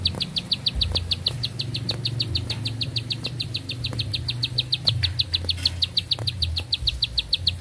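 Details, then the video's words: Bar-winged prinia, long-breathed song: a continuous run of crisp, high notes repeated several times per second, steady throughout, with soft clicks and a low mechanical hum. "Nafas Panjang, Nembak Satu Lagu, Ciblek Sawah Gacor"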